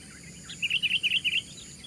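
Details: Sooty-headed bulbul singing loudly in a fight against four opponents: a quick phrase of about six clear, evenly spaced whistled notes, each rising then falling, over a soft low hum.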